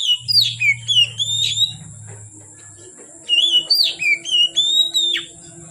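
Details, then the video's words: Oriental magpie-robin singing in late afternoon to dark: lively strings of rapid whistled notes sweeping up and down, a low hum under the first half, then a second energetic run. "Kacer Gacor Sore Sampai Gelap Malam tetap Bunyi Gacor"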